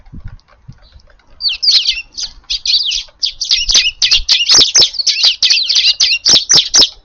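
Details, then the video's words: A flock of Eurasian tree sparrows feeding noisily in a garden on an April evening; after a quiet start, a rapid, nearly continuous run of shrill chirps, about four per second, with faint low thuds underneath. "スズメが庭に来ました！ No471 4/25 いつもながらの賑やか夕ごはんです"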